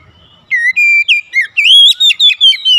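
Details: Oriental magpie-robin kept in a home, singing busily during daily therapy: after a short quiet start, a string of pure, loud whistles, some held steady, others bending up and down, repeated in quick succession.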